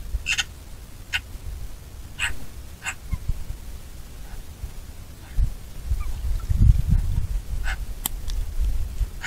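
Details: Eurasian magpie giving a series of short, harsh, rasping call notes, several spaced through the first three seconds and fainter ones later, over a constant low rumble of wind.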